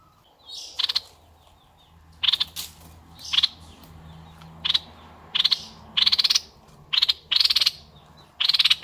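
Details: Red-eyed bulbul, noted as a strong, steady singer, repeating short bursts of sharp rattling notes roughly every second over a faint low hum and background murmur.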